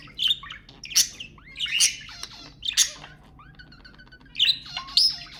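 Budgerigar warbling with rapid chirps, squawks and scratchy high notes in bursts about every second, against a quiet indoor background.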